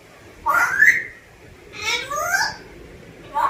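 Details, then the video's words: Pet African grey parrot speaking Telugu, its voice clear and whistle-like: a rising phrase, then a longer phrase of bending harmonic tones about a second later, and a short sound at the end, in a quiet room. "African Grey Parrot 🦜- Talking in telugu"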